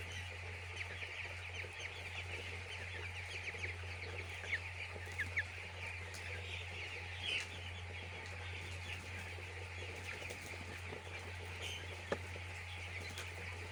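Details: Poultry farm chicks keeping up a long, unbroken chorus of high peeps from a large crowd, a few isolated clicks and taps, over an ever-present low drone.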